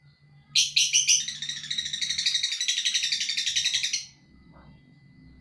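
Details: Lovebird ngekek: a continuous, harsh, rattling trill of rapid pulses lasting about three and a half seconds, loud at the start, then steady, over a low background hum.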